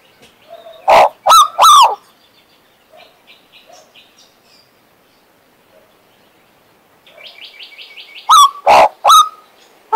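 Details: Pet male Western Australian magpie singing: a few loud, rough, harmonic-rich notes near the start and end, with soft chattering and a quick buzzy run of high notes between them.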